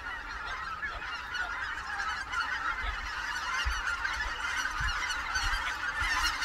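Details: Wintering greater white-fronted geese on the Cheorwon plain in central Korea, calling as a large flock: layered, high, cackling honks overlap steadily, with occasional low thumps beneath the chorus.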